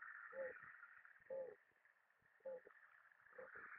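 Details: Low, soft dove coos, three or four short hollow notes about a second apart, heard over a steady hissing background noise.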